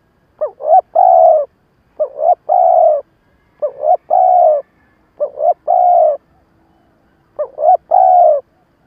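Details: Spotted dove kept as a decoy for trapping, giving a stuttering coo and call. Five repeated phrases about every one and a half seconds, each two quick clipped notes then a longer hollow coo.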